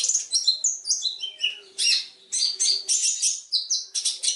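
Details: Long-tailed shrike master song for training other birds: clear, high whistled notes stepping downward in a varied sequence, followed by bursts of bright, rich warbled phrases with brief pauses between them.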